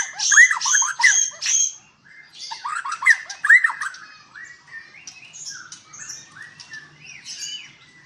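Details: White-rumped shama at a breeding farm in Palembang, Indonesia, singing loud repeated bursts of bright chattering notes and upswept whistles, then a quieter run of varied twittering phrases.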